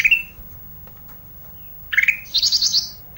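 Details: Olive-backed tailorbird in full voice, isian song. A short bright chirp opens, a quiet gap follows, then from about 1.9 s a falling chirp leads into a quick series of five or six shrill, buzzy high notes.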